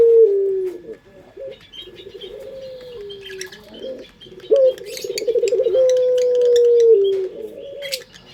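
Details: Indonesian puter dove with the melodious 'pelung' voice, played as a lure; a series of deep coos, some falling and some held long and level, includes one trilled rolling stretch, while other small birds chirp and flutter in the background.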